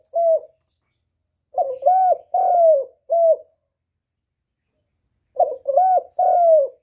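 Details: Low, throaty cooing of a spotted dove, a call used to lure birds into traps; two main phrases of a short lead note followed by two to three coos, the last drawn out and falling, with clean silence between.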